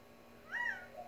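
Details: A quail in a backyard in the Tucson desert, making a weird call every few seconds, gives one clear, slightly nasal note that rises and falls, with a fainter lower note trailing after. Quiet background.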